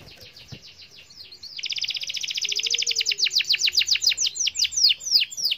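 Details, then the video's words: Canary song played to coax silent canaries to sing: after a quiet start, a dense loud trill of rapid sweeping notes gives way to slower, evenly spaced downward-swept notes, with a faint low whistle beneath. "Pancing kenari dengan ini dijamin kenari bisu ikut gacor"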